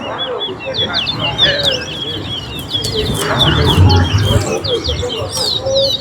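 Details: Towa towa (chestnut-bellied seed finch) singing during a bird race at Alligator Park. A dense, unbroken high twittering warble runs throughout over a low crowd rumble, with a brief count called out.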